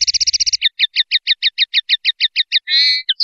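A common linnet sings a rapid twittering series of bright, doubled notes, about a dozen quick ones then slower repeats, ending in a short buzzy trill.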